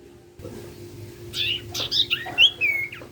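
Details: Common iora (sirtu) in full song, used to prompt other sirtu birds to sing: a run of sharp, high whistled and slurred notes, some swooping down, over a steady low hum.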